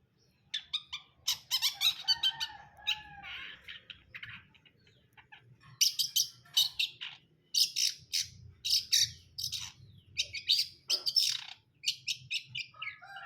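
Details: Long-tailed shrike in brundol song: long bursts of rapid, harsh, rasping chatter and sharp high chips, broken by brief pauses, with a few lower whistled slurs early on.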